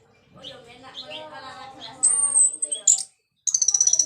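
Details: Orange-headed thrush, gacor 'ngeplong' song for stimulating reluctant thrushes: soft background warbles give way to a long, thin, very high whistle, a sharp burst, brief silence, then a fast run of evenly repeated high notes.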